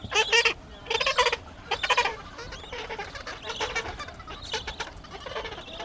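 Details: Gentoo penguins at Orne Harbor giving loud, harsh braying calls in pulsed bursts about once a second, then quieter overlapping calls from other birds.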